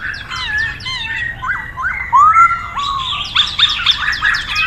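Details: Chinese hwamei, called poksay in Hong Kong, singing a varied run of clear whistled and slurred notes, some rising, some falling, with quick chirps and a louder upward-curving whistle near the middle.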